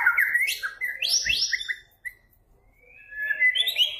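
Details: Lure song of a white-rumped shama in strong voice: bright rising and falling whistles and quick trills, a short pause, then soft whistled phrases building again with a brief low knock.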